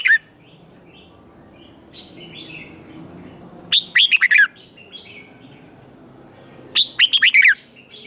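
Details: Red-whiskered bulbul in competition song used to rouse untrained birds: two loud bursts of buzzy, warbled notes roughly three seconds apart, with faint soft twitters and low hum between them.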